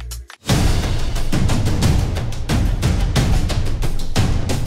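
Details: Dramatic soundtrack music with booming timpani-like drum hits and dense instrumentation, no animal sound heard.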